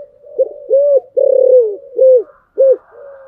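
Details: Spotted dove with a "Thổ Sấm" voice, cooing to goad a rival into singing. Low hooting coos at a steady pace, with one longer rolling note in the middle, against a quiet background.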